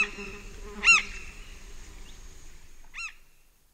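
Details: Pacaya recording of a large-billed tern's flight calls up close: one loud, grating arched note followed two seconds later by a softer one, over a low hum of distant insects and other birds.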